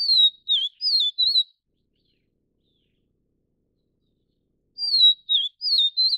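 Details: Vivid niltava, subspecies vivida, attending to its chicks, gives a sweet high four-note whistled phrase, pauses about three seconds, then repeats the same falling, dipping and warbling pattern.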